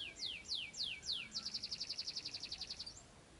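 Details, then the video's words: White-rumped shama song used as a lure to provoke another shama into answering. Four quick downslurred whistles are followed by a rapid, even trill of about fifteen high notes lasting roughly one and a half seconds. "PANCINGAN MURAI NYAUT LANGSUNG"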